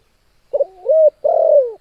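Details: A spotted dove's coo, a strong call kept for training or contests: a short stuttered note, a rising coo, then a long, low, slightly throbbing coo that falls at the end.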